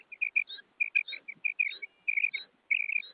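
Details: A female common quail gives fast, sharp double and triple notes, high and clipped, in quick bursts, with brief squeaky upper chirps between the groups.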